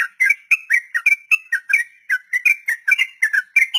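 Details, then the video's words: Sooty-headed bulbul delivering a long 'ropel' song used to tutor beginner captive bulbuls: steady chains of rich, bubbly, slurred whistles, roughly four notes a second, rising and falling without pause, clean background. "Trucukan Ropel panjang || masteran buat burung trucuk pemula"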